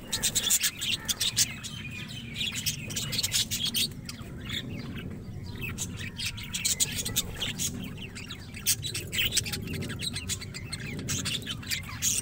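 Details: A colony of Australian budgerigars, kept as a colony rather than in cages, chatters nonstop in a dense mix of sharp chirps and warbling notes.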